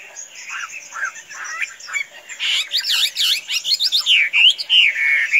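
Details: Chinese hwamei, a tame bird that can be let loose without flying off, pours out loud looping whistles and fast slurred warbles. The notes swing up and down in quick rising and falling arcs.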